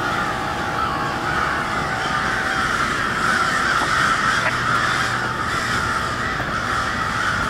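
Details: Noisy crows at cold twilight in Westport, Kansas City: many birds cawing at once in a dense, overlapping wash of harsh calls, a few louder caws standing out, with a steady low hum underneath.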